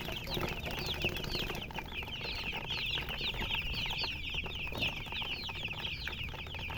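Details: Chicken chirping: many quick, high, bright peeps pour out nearly without pause from several birds. Steady low background rumble and faint flapping or handling noises.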